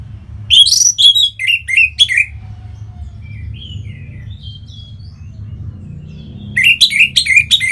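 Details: Orange-headed thrush song recorded in North Bali (Singaraja) as a stimulus for other songbirds: a run of varied, sliding, twittering phrases, a pause with soft scattered notes, then another fast tumbling series; faint low background hum.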